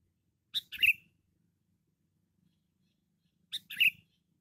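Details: A sooty-headed bulbul, called loud and chatty and recorded for luring, sings two brief bubbly phrases three seconds apart. Each is a sharp note followed by a slurred downward whistle, against near silence.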